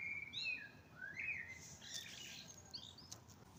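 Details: Wild birds singing at dawn in spring, several overlapping voices: clear whistled phrases and quick sliding notes between high chirps, with light faint background hiss.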